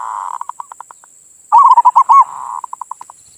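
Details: Local perkutut (zebra dove) singing its manggung song, played as bait to arouse other doves: a soft rapid run of low notes, then loud rolling coos in a burst, trailing off into evenly spaced short notes.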